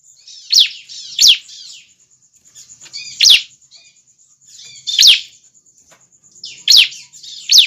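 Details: Juvenile bar-winged prinia calling, its calls used to lure other prinias in close. Sharp, high, downward-sweeping chirps come in loose bursts with short pauses between. A steady, thin, high-pitched whine runs underneath throughout.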